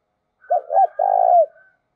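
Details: Spotted dove used as a decoy, cooing: one loud mellow phrase of two short rounded hoots and a longer sustained note that drops slightly at the end, with a faint higher overtone.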